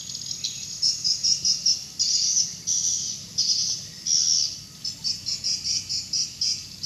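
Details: Swiftlets active in the evening before entering a swiftlet house: high, rapid chirping twitters in clustered bursts, many birds calling over steady low background rumble.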